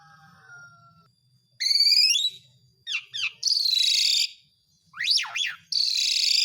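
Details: Asian pied starling calling song, played to make stalled birds sing again: after a faint start, a bright rising whistle, quick down-slurred notes, a loud harsh screech and steep up-and-down whistles.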